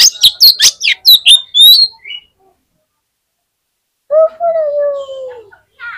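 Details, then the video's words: Contest fighter Oriental magpie-robin singing on a songbird contest pole, a bird said to spur rival magpie-robins into song: rapid harsh, rasping notes and sharp sweeps for two seconds, then silence, then a long, low, gently falling whistle. "SUARA KACER FIGHTER BIKIN CEPAT ON KONSLET KACER LAIN DI GANTANGAN"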